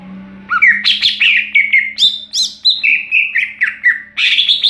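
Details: Greater green leafbird singing in the ngeplong style: a rapid, varied run of clear whistled notes and slurred phrases, some rising and some falling, with brief squawky notes. A steady low electrical hum runs underneath.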